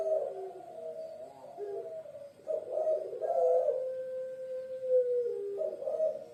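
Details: Javanese puter pelung dove from Indonesia giving low coos that run into one long level tone lasting over a second, then fresh rounded coo phrases return.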